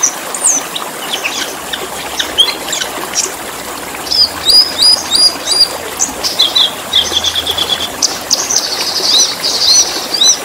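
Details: Black-winged starling singing, meant for tutoring caged birds: a busy stream of high whistles, upslurred chirps and harsh buzzy trills, densely packed and irregular, over faint watery background noise.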